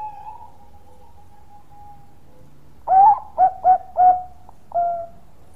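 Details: Long-voiced Bangkok zebra dove: a soft level tone fading out, then four loud, rounded coos in quick succession and a final drawn-out coo.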